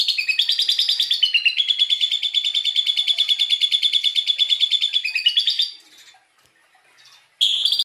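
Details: Asian pied starling singing lovebird-style filler, used as tutor song for training magpie robins; rapid, shrill chattering notes repeat about three times a second for over five seconds, then a brief pause before the bright chatter resumes.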